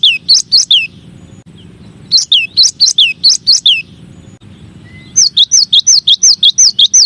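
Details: Three energetic runs of the cinereous tit's repeated two-note phrase, each run of about six to ten notes, forming one of nine masteran song variations.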